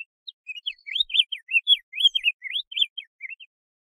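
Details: Diademed tanager (Stephanophorus diadematus) sings its classic song, a quick, run-on string of bright, slurred whistles that rise and fall at a high pitch for about three and a half seconds.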